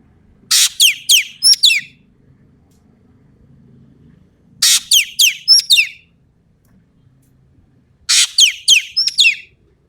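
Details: Ekek keling from Sumatra, singing energetically, full tembakan material. Three evenly spaced phrases about four seconds apart: a rasping burst, then four or five sharp downward-sliding whistles ending in a high doubled note, over faint low background hum.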